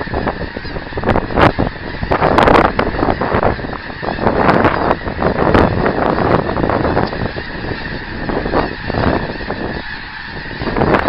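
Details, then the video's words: Honking of geese in flight, January 24, 2010, a loud chorus of many overlapping calls rising and falling over eleven seconds with constant background rush. "Geese in Flight"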